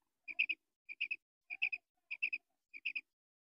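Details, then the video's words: Female common quail repeating crisp triplets of high, clicking notes at a regular pace, about every 0.6 seconds, five groups, with faint lower undertones. "Female quail sound | madi batair awaz"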